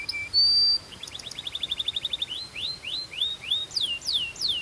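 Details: Song of a Belgian canary: a short pure whistled note, a fast even trill of clipped high notes, then slower downward-sweeping whistles repeated roughly every third of a second.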